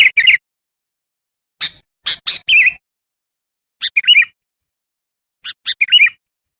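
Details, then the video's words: Sooty-headed bulbul song used to attract wild bulbuls: a few sharp notes and short, liquid, gurgling phrases separated by long silent gaps. "Suara burung kutilang gacor ampuh tuk panggil kutilang liar"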